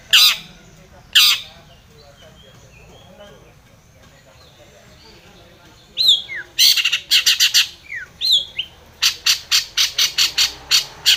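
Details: Long-tailed shrike calling to provoke a rival: two harsh rasping bursts, a quiet pause, then a dense run of scratchy notes mixed with short downslurred whistles, ending in rapid repeated chattering.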